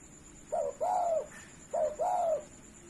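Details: Tame spotted dove kept without a cage, cooing steadily as a master recording for training birds. Two soft, low phrases are heard, each a short coo followed by a longer drawn-out one, about a second apart.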